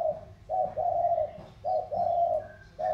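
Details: Thổ-style spotted doves from Sóc Trăng delta and Cam Ranh mountains cooing against each other; loud, low, hollow paired coos, a short note then a longer sustained one, nearly back to back, with a faint whistle above.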